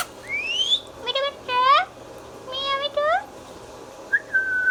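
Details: Talking pet Indian ringneck parakeet: a rising whistle, then speech-like nasal syllables in two phrases, ending with a short steady whistle.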